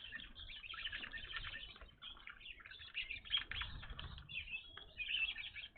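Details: Evening grosbeaks at a bird feeder, birds not seen there before: dense overlapping chirps and short clear notes, many birds calling at once, with low rumbling thumps underneath.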